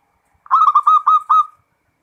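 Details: Zebra dove (local perkutut) singing full ngerot: one brisk phrase of four clear, ringing coo notes of even pitch, then silence.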